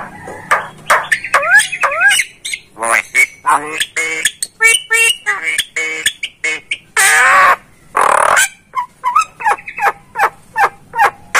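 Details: Starling (jalak) used as a song-tutoring recording: loud varied phrases of rising whistled slurs, harsh squawks and clicking notes, with broadband bursts between phrases.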